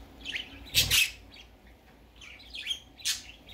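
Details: A young baby budgerigar, out of its cage for the first time, gives soft, quick warbling chirps in scattered bursts, broken by two louder rushing noises like fluttering wings or handling.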